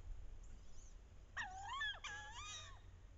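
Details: Courting wood ducks on a bayou in the last weeks of October, hens calling loudly to draw drakes. Two loud, wavering squeals, each bending down then climbing, separated by a short pause over steady low background rumble.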